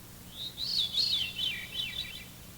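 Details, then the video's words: Veery's haunting song: a breezy, flute-like phrase of rolling downward-spiralling notes, each spiral lower over about two seconds; the bird may sing in harmony with itself. Faint background hum. "The Veery's haunting song consists of a series of downward spiraling flute-like notes."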